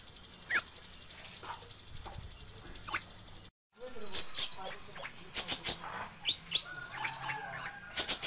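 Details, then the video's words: Sunbird song for tutoring other cage birds: isolated high chips at first, then after a brief gap a lively string of thin, sharp, high-pitched notes delivered in quick succession. "Suara Burung Terbaru 2020 - Kolibri Ninja (Konin) Cocok Untuk Masteran"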